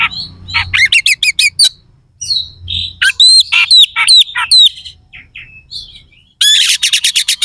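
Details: Oriental magpie-robin in full contest-style song packed with harsh 'isian kasar' fill phrases, said to agitate other magpie-robins: sharp whistled upslurs, fast chattering notes, a pause, then a rapid buzzy rattled trill at the end.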